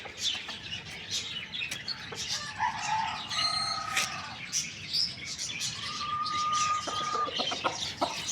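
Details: Morning crowing from a rooster, with a short crow, then a buzzy, harmonic-rich burst and a long level drawn-out note near the end, all over busy chirping of many small birds.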